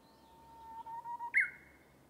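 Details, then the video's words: Japanese bush warbler (uguisu) singing in a bamboo forest: a long, steady low whistle swelling slowly, then a sharp rising-falling flourish with a bright sustained tail, in quiet surroundings. "Japanese Bush Warbler (Uguisu) singing."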